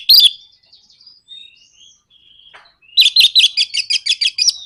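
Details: Orange-headed thrush song intended to trigger singing in other birds: a sharp note, a long spell of soft thin whistles, then a fast, even series of about a dozen loud, buzzy repeated notes.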